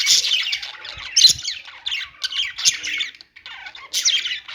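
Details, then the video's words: Several budgies chatter together in bursts of harsh, buzzy squawks and warbles, with brief lulls between louder outbursts about once a second. "budgies singing | budgie sounds | parakeet chirping sounds"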